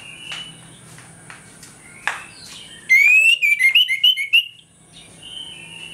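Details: An orange-headed thrush delivers its open 'ngeplong' song in the morning, a lure to make thrushes aggressive; after quiet background with faint clicks, a rapid string of loud rising and falling whistles bursts out.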